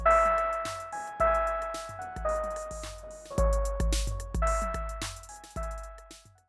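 Only music is heard: steady keyboard-like chords struck about once a second, with no animal voice.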